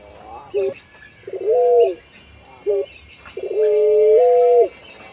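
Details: Nodding puter pelung dove, an ornamental songbird breed: short clipped coos alternate with longer drawn-out hoots, the last one stepping up in pitch midway before falling away.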